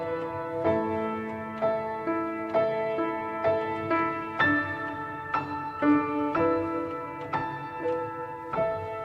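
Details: Gentle piano music with repeated chords and single notes over a soft low background; no animal sound is heard.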